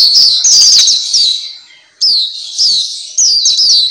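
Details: High, thin whistled twitters from a black-capped white-eye, meant to train kept birds to sing more. A dense opening phrase fades out, then several falling chirps return in quick, irregular bursts.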